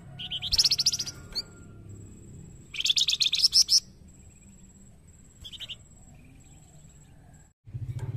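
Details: Song of a white-rumped shama intended to provoke other birds into song: loud rattling, buzzy bursts, a short note between them, and a low rumbling noise at the close.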